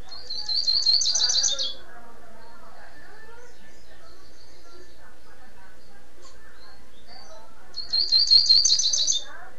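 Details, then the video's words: Tirano-style song of a rusty-collared seedeater in Niterói, Rio de Janeiro: two quick, high, buzzy chattering phrases, each under two seconds, separated by about six seconds of near silence with faint soft notes. "COLEIRO TIRANO"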